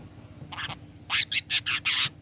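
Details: Long-tailed shrike giving its 'toet toet' lure call, used to make other shrikes answer. After a faint opening burst come five loud, harsh, raspy notes in quick succession over a steady low electrical hum.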